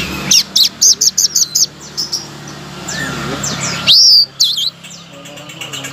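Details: Blue-crowned laughingthrush song, used as a master recording to provoke silent songbirds such as magpie-robins and white-rumped shamas to sing: rapid bursts of high chirps, then a loud, sharp, rising-falling whistle and scratchy notes, over a low background hum.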